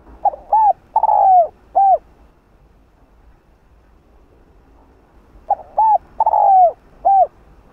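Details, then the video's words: Spotted dove of the 'rặc đồng' voice style calling to rouse other males: a four-note cooing phrase, with the third note long and sliding downward, repeated after a silent gap of nearly four seconds, with a quiet background. "Cu gáy kích bổi nhanh nổi/Tiếng cu gáy đất Gáy Gọi Giọng Rặc Đồng kích bổi khó tính mau gáy"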